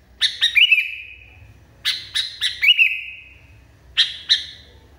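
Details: Highly agitated Sooty-headed Bulbul firing rapid clusters of three or four sharp notes, each cluster trailing off into a long, even ringing whistle, followed by isolated single chirps.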